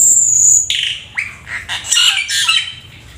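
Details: Black-winged starling in lively song, beginning with a long, steady piercing whistle, followed by a downward swoop and a run of harsh, scratchy chattering notes.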